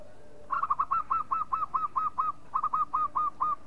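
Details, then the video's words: Local zebra dove calling: a long run of quick, stuttering cooing notes near one pitch, fourteen or so short pulses in two rapid bursts with a brief gap, over faint background hiss. "SUARA MEMANGG PERKUTUT LOKAL"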